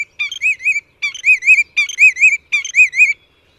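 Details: A Willet, a salt marsh specialist, gives four loud, ringing phrases in quick succession, each a wavering, rolling whistle about every three-quarters of a second. Willets can call frantically when another willet encroaches on their territory.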